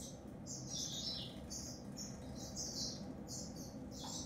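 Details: An African grey singer finch sings a lively string of high, sweet chirps and short warbled notes, several linked phrases in a few seconds, over faint low-pitched background noise.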